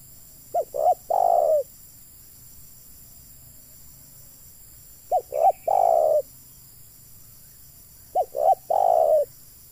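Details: Spotted dove kept to lure wild doves to a trap, repeating a three-note coo three times at steady intervals of about three and a half seconds: two short soft notes, then a longer descending coo.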